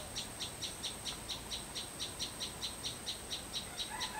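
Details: Sunbird in a garden behind a house in the countryside, giving around ten bright, high chips at an even pace of roughly two per second, with a thin steady whine in the background and a brief lower note near the end.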